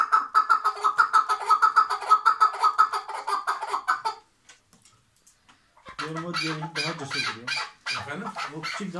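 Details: Tethered chukar partridge from Şırnak, Turkey, delivering a rapid, loud rattle of nasal pulsed notes for about four seconds, then a pause, followed by lower, harsher voiced sounds.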